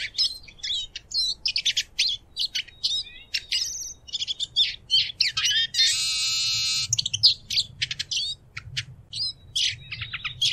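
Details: Eurasian siskin song: a long stream of fast high twitters and slurred notes, broken midway by a drawn-out buzzy wheeze lasting about a second before the twittering resumes.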